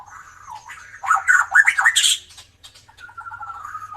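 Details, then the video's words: White-rumped shama, recorded as a singing model for other birds, starting softly, bursting into loud harsh chatter and squawky notes, then a long steady warbling trill; low hum throughout. "MURAI BATU EKOR KLEWER GACOR COCOK BUAT PANCINGAN BURUNG YANG JARANG BUNYI"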